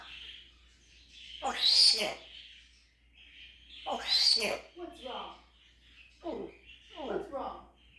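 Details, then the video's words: Pet African grey parrot imitating animal noises such as a rooster, horse and cat; loud raspy, crowing-like squawks alternating with softer speech-like mumbles and whistles, repeated in bursts a few seconds apart. "TJ the African Grey making animal noises!"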